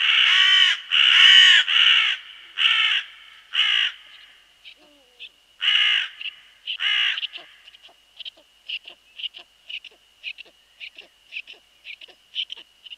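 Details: Crows harass a male Eurasian eagle-owl as it arrives at its nest with a large rabbit, 28 March 2013 at 17:47. Loud, harsh, hoarse caws in a run of about seven, then two more, over a steady high whine with fast soft pulses.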